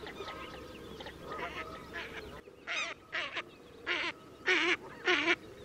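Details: Northern shoveler giving a series of six loud, nasal, wavering calls about every half second after a murmur of distant flock calls in the first two seconds.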